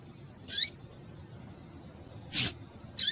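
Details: A female double-collared seedeater calls to stimulate males, giving high downward-sweeping chips and a sharp broadband click in quick succession over a soft, low background murmur.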